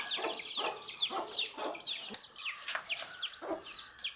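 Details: Young chicks feeding on earthworms, many chicks giving thin high peeps and downslurred cheeps in quick succession, overlapping constantly, with a soft rustle of movement beneath.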